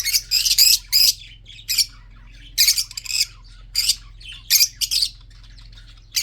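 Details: Red-eyed budgerigars kept for breeding produce repeated loud, rasping squawks, often in close pairs, continuing steadily throughout.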